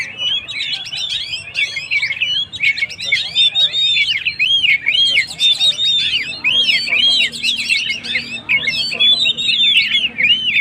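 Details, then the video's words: Lively Oriental magpie-robin song to rouse stressed birds: continuous stream of looping whistled phrases, repeated arched slurs and quick chirps, loud and unbroken for the whole stretch. "suara burung Kacer gacor// naikan emosi//pancingan burung stress"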